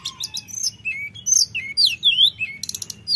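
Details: Common iora lure song in a fluting, rolling style for provoking rivals: a low whistle, then bright downslurred and upswept whistles and a final burst of rapid high chirps.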